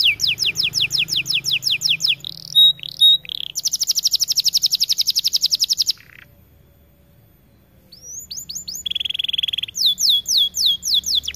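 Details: White AF canary in full, energetic song. Rapid high trills and rolls change from one pattern to the next, then a short silence and a return to upslurred whistles and quick repeated notes.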